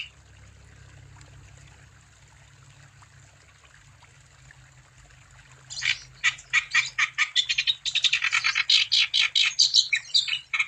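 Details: Wambi in full song, used as a lure to get other wambi birds singing; about six seconds of quiet hum, then a burst of rapid, high, sharp chirps and rattling notes, several per second, bright and uneven.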